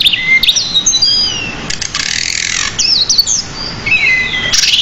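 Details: Decu (pied bushchat) singing in a masteran recording, lively with many varied phrases: clear high whistled notes and slurs, a burst of harsh buzzy noise mid-way, then more whistles and a brief rasping note.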